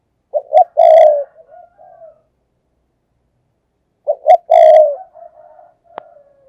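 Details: Decoy spotted dove cooing in thúc gù style to draw in wild doves: two short notes and a long sustained coo with a soft trailing tail, repeated after about three and a half seconds, then a sharp click near the end.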